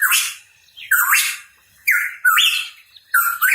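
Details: Hooded pitohui, called cucak rawa papua, singing hard: loud phrases roughly every second, a clear whistled note sliding up into a coarse, noisy upsweep, with brief silent gaps.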